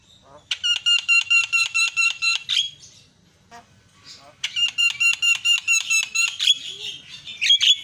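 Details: Myna calls meant to make another myna emotional and vocal: two long bursts of loud, buzzy, rattling notes repeated rapidly, about five per second, separated by a short pause.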